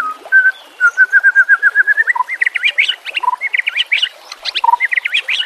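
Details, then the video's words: White-rumped shama singing in a training recording with nature sounds and trickling water: clear whistled notes repeated rapidly in an accelerating series, then loud varied bursts of sharp, slurred phrases interspersed with lower whistled notes. "Murai batu FULL NEMBAK dan BONGKAR ISIAN"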